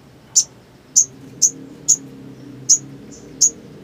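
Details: Black sunbird calling with six piercing, very high, clipped chip notes, spaced about half a second to a second apart, against a quiet background.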